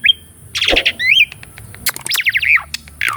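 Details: Asian pied starling song recorded as training material for a caged starling that has stopped singing; loud varied phrases of whistles, harsh buzzy bursts and rising-falling slurred notes with short gaps, over a faint low hum.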